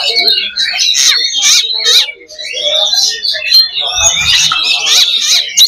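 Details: Kacer (Oriental magpie-robin) 'loba' song aimed at raising fighting spirit: harsh rasping bursts alternating with whistled slurs and fast chatter, a short lull after two seconds, then dense singing resumes.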